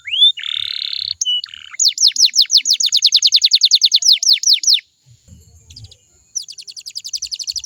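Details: Canary song intended to make other canaries sing back. A rising whistle and buzzy notes lead into a long series of loud downslurred whistles. After a pause comes a fine, high, rapid trill.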